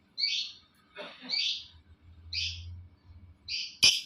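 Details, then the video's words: Lovebird call used to set other lovebirds calling: quick, high, chirping notes, some rough, ending in a loud harsh burst, over a faint low hum. "Suaranya Memancing Labet lain Ikut Bunyi"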